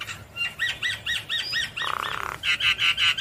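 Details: Javan myna in full song, bobbing its head: a string of six arched, whistled notes at a steady pace, a short buzzy trill, then more clear, ringing notes repeated about four times a second.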